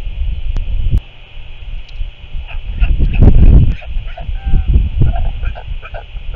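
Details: Northern royal albatross returning to its nest, recorded 27 February 2024: short, harsh honking calls with stacked harmonic tones break through a heavy, constant rumble of low wind.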